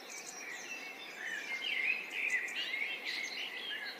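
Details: Two sparrows feeding together: a steady stream of chattering chirps and short twitters, notes bending up and down, fairly dense and unbroken, against a constant hiss of background noise.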